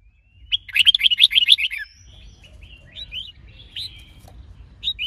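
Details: Red-whiskered bulbul in training to sing, stimulated by a female: a quick burst of bright warbled notes repeated rapidly near the start, then softer scattered chirps and slurred whistles over a low hum.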